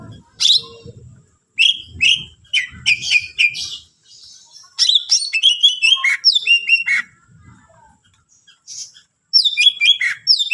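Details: Greater green leafbird in full varied song, used to rouse other leafbirds. Sharp whistles, slurred chips and twittering runs come in uneven bursts with quiet gaps, and faint low murmuring appears early on.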